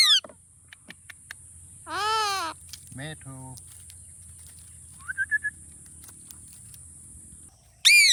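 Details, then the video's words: Indian ringneck parakeet, a pet talking bird, mixing harsh wavering screeches with mimicked speech-like phrases and a few short whistled notes, a steady high electrical whine running behind. "Funny Talking Ringneck Parrot"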